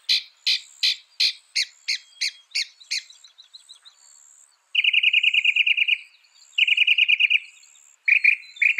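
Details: Northern mockingbird song, loud and quick: a series of sharp ringing notes about every third of a second, then fast buzzy rattles repeated in separate bursts.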